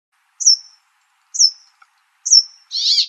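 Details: Brambling: three sharp, high downslurred whistled notes about a second apart, each trailing off, then a short harsh buzzy rasp at the end.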